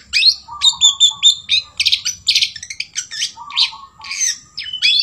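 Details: Song of a long-tailed shrike copying the sooty-headed bulbul: continuous varied chattering with squawky bursts, short whistled tones and quick repeated chirps, barely pausing, over a faint low hum.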